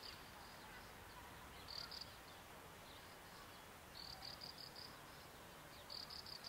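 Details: A graceful prinia gives quick, high, rattling note series in short bursts spaced a couple of seconds apart, set against a constant rushing background hiss.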